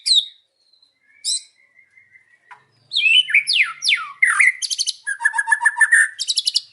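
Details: In the afternoon a white-rumped shama sings: isolated sharp notes and thin whistles, then a rush of downward-slurred whistles and fast buzzy rattling trills.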